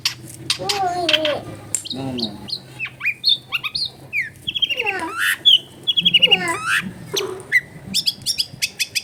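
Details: Energetic long-tailed shrike song full of fill-in phrases, used as a lure for other shrikes; varied whistled slurs, sweeping rising and falling notes and quick high chips in a fast, changing sequence.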